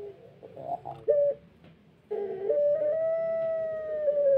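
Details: Pelung chicken crowing, recovering from tail feather healing and not yet at full voice: a few short broken notes, then a long steady drawn-out crow held for about two seconds.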